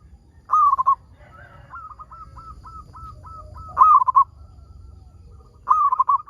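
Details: Singing local zebra dove, intended to prompt other zebra doves to sing: three loud rolling coo bursts spaced about three seconds apart, with a steady string of soft clipped notes filling the gap between the first two.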